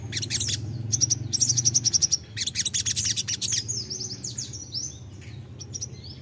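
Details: Crimson sunbird, known locally as sogon, singing a lure song meant to prompt other birds to reply: quick, sharp, high-pitched chip series, then thin whistled notes and short sweeping high phrases, with a soft low background hum.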